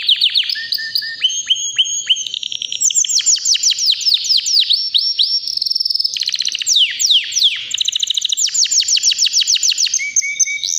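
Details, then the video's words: White canary, about three years old, healthy and ready to breed, singing powerfully and nonstop: rapid trills and repeated notes shifting between high and mid pitches, with downward-sweeping phrases, continuous with no pauses. "BEAUTIFUL WHITE CANARY NON STOP POWERFUL SINGING"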